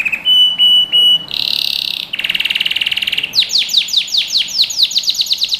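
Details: Canary song for training young birds: a steady whistled note repeated three times, then a high buzzy held tour, a pulsed rattling trill, and a run of rapid descending sweeps repeated about three per second.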